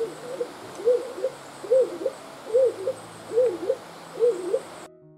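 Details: A Stock Dove (Columba oenas), a UK bird, gives six deep, two-part coos, each rising then dipping, spaced a little under a second apart over a faint steady hiss.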